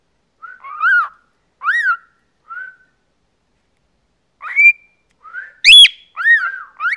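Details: Pet male cockatiel, 14 years old, chattering indoors: clear whistled notes that rise then fall, given singly with pauses, ending in a quicker run of three or four whistles.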